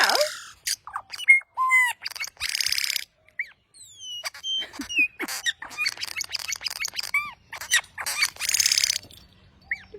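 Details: Loud bird calls alternating harsh, noisy screeches with clear whistled slurs and squeaky rising notes, arranged in uneven bursts with short silences between phrases.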